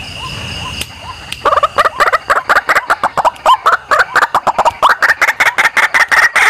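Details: Indonesian white-breasted waterhen lure: after a quiet start with faint rumble, a rapid, regular train of harsh doubled croaks runs steadily to the end.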